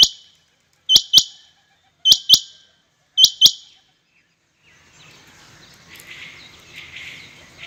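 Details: Rain quail calling in competition, giving sharp, metallic double notes, three pairs about a second apart. A softer, noisy wash of distant chatter follows.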